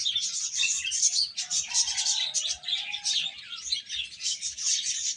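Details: Little chickens peeping at a meal, with a continuous high chatter of overlapping chirps and a drawn-out lower peep in the middle, over faint tapping.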